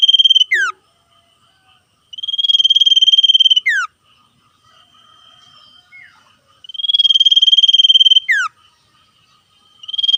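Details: Common iora calling back and forth with wild birds, singing the rapid ngetir trill. Fast, even, high trilled phrases are each closed by a swift descending note, recurring roughly every four seconds, with a low, softer murmur of calls in the pauses.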